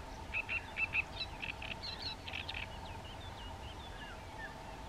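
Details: Great reed warbler (Acrocephalus arundinaceus) song at the Mirna (Quieto) river, Istria: harsh, grating chattering phrases repeated in quick bursts, then thinner squeaky notes, over a steady low hum and background rumble.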